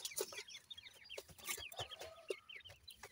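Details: Seven-day-old grey francolin chicks while feeding: many thin, high, downward-slurred peeps overlapping in quick succession, with scattered clicks and scratching.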